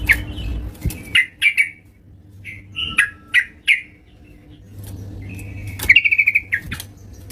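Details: Yellow-vented bulbul singing at home, giving spaced clear chirps and slurred notes, then a quick buzzy trill, against a quiet room with a faint hum.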